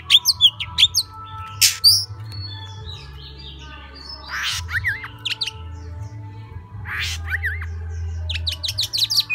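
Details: Oriental magpie-robin delivering "múa 13 kiếm" song: scattered high chirps and harsh bursts, twice a wavering whistled phrase, then a closing run of quick sharp notes, over a persistent low humming background.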